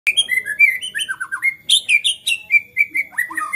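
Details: White-rumped shama singing agitatedly, a display said to provoke other shamas into song: rapid varied phrases of clear whistles and slurred notes, falling and rising, about one note per second with sharp high chips between.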